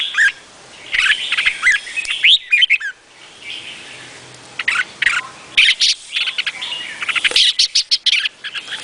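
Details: Red-whiskered bulbul of the Vietnamese type singing: bursts of bright, bubbly whistled phrases with sharp chirps, broken by short pauses. Some notes slur upward, and dense runs of rapid notes cluster together.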